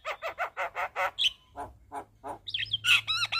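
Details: Javan myna singing 'gacor full isian': six rhythmic rasping chuck notes, a thin whistle, three lower grating notes, then a burst of rising whistles and squeaky phrases, with a low hum in the background.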